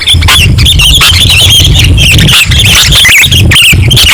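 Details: Sooty-headed bulbul singing on a bird-luring recording, a continuous run of short warbled, looping whistles, some notes sliding down, repeated densely for several seconds above a constant low hum.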